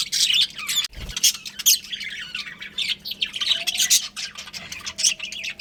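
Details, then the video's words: Budgerigars from a breeding pair chirping in scratchy, warbling bursts interrupted by a short thud, then resuming with sharper tweets over a steady low background hum. "Adorable Budgies Chirping Sounds"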